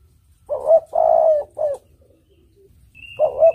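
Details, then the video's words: Spotted dove, used as a lure, giving a full three-note cooing phrase, short, long and short, followed by the start of another, with a faint high whistle late on. "Suara Burung Tekukur Merdu Jenih"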